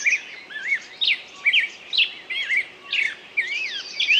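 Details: Bird singing: a lively run of slurred whistled notes that sweep up and down, delivered in short bursts roughly twice a second over a faint steady hiss.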